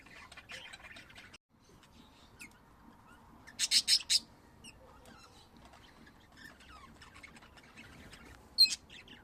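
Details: Pet budgerigars kept at home: sparse, quiet chatter with a short burst of loud, sharp chirps near the middle and a single bright squeak near the end, over a soft background hum.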